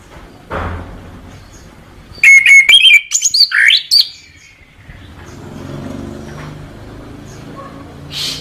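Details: Orange-headed thrush song, a two-second run of clear whistles and buzzy slurred notes, framed by low rumbling background noise and a faint later note.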